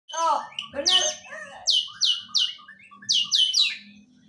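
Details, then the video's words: White-rumped shama singing an isian (learned fill) of kapas tembak: a few low warbled notes open, then a run of loud, high, downward-sweeping whistled notes repeated about every third of a second, with a faint low hum beneath. "murai isian kapas tembak"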